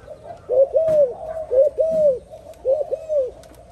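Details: Spotted dove giving three phrases of paired, rounded coos, each phrase a short note followed by a longer arched one, spaced about a second apart over a faint low rumble.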